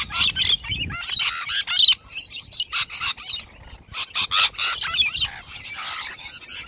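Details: Wild Australian rainbow lorikeets in chaotic activity, giving harsh, screechy, rasping squawks in rapid, overlapping bursts with brief gaps between.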